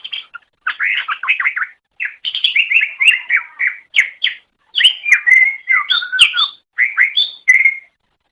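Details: Cucak ijo (green leafbird) masteran song: a long, busy stream of fast slurred whistles and chatters, with varied rising and falling notes and short pauses between phrases.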